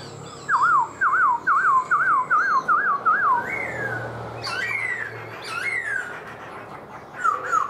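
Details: Kept black-throated laughingthrush singing and dancing with its tail fanned: a loud run of seven or eight wavering whistled notes, then longer rising and falling whistles over steady background hiss.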